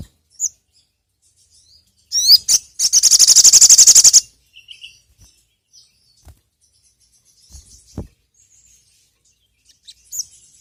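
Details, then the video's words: Sogon (sogok ontong) sunbird lure sound: a rising sharp note leads into a loud, fast, even high trill lasting about two seconds, then isolated faint chirps. "PANCINGAN BURUNG SOGON TERAMPUH SEPANJANG MASSA..!"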